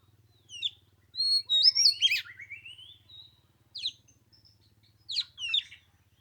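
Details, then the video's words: Oriental magpie-robin during chilly Lunar New Year weather, giving a long sliding whistled phrase with rising and falling slurs, followed by sparse short sharp notes and a faint steady low hum. "Chòe than mùng 3 tết cái lạnh 15 độ chơi 1 tiếng chim k xuống đánh"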